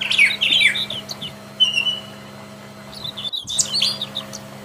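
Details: A wild Brown Thrasher opens with rough, tumbling phrases, adds a brief clear whistle, falls quiet, then resumes with a few sharp high notes; a low hum runs throughout.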